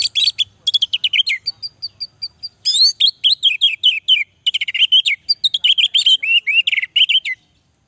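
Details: Orange-headed thrush singing almost nonstop for seven seconds, recorded as a lure to get lazy males singing: fast, varied phrases of downslurred whistles, trills and repeated sharp notes, with slight breaks between phrases.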